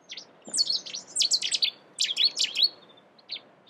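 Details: UK Cetti's warbler delivering abrupt, loud phrases of clipped, high-pitched notes in two quick bursts, with a soft pair of chips trailing after.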